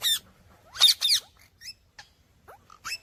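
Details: Indian ringneck parrot kept as a pet, giving short chirps: a harsh squawk, a pair of loud raspy notes, then scattered thin rising and falling squeaks over a quiet background.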